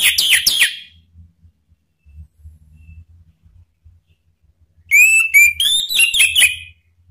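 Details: Lure song of a male orange-headed thrush in ngeplong style, meant to prompt other birds to answer: a brief burst of sharp whistled notes, a pause, then a longer run of bright whistles stepping up and down.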